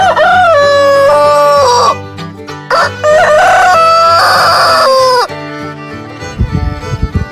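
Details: Domestic rooster crowing at daybreak to show rivals it is still alive and in charge of the henhouse: two loud, drawn-out cock-a-doodle-doos, each about two seconds long, with music playing underneath and some clucking toward the end.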